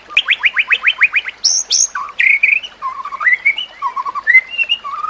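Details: White-rumped shama song used as training material for other shamas, set with nature sounds and trickling water: a fast run of repeated rising sweeps, then high whistled notes and varied warbling phrases shifting between low and high pitches.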